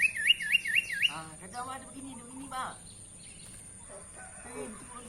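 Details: Tame sooty-headed bulbul giving a fast run of four bright, hooked, rising whistled notes in about one second, followed by softer, lower chattering phrases and quiet background noise.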